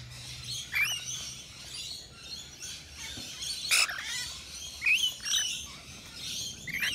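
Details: Wild rainbow lorikeets feeding at a balcony nectar feeder in Australia give shrill rising squeaks and screechy chatter, several overlapping bursts, one loud harsh note near the middle, over faint background hum.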